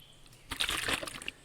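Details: Brown-headed Cowbird at Lake Ann State Park gives a brief burst of liquid, bubbling gurgles, like water glugging from a jug, ending in a thin high note.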